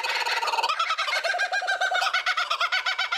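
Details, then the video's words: Laughing call of a kookaburra, the largest kingfisher, an Australian bird, at a zoo, used to mark its territory: a raucous, humanlike harsh burst breaking into rapid repeated hoo-hoo-ha notes, about eight per second, loud and rollicking. "het geluid van de Kookaburra"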